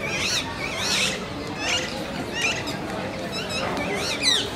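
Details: Rose-ringed parakeet (Psittacula krameri) pairs at Qutb Minar, Delhi, India, give harsh, wavering screeches, several overlapping at about one or two per second, over a steady background hiss.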